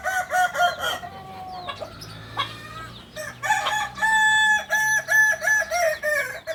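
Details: Continuous stepped crowing from a kukuak balenggek chicken, the singing chicken of Solok in West Sumatra, with a chain of short level notes rising and falling in pitch, pulsing several times per second.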